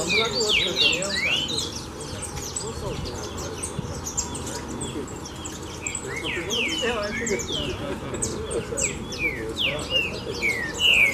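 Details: Several male green-winged saltators, excited by a loose female, sing at once in a dense, overlapping tangle of rich, slurred whistled phrases, with low human voices talking underneath.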